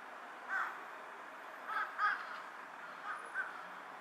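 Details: A carrion crow perched on a power line, bowing as it calls, gives short hoarse caws, one single and then several in quick pairs, against steady background noise.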